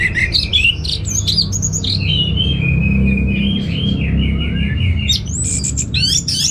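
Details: Orange-headed thrush, a caged bird from North Bali, delivering a long varied song of whistled, sliding phrases and quick chirps with hardly a break, above a constant low hum.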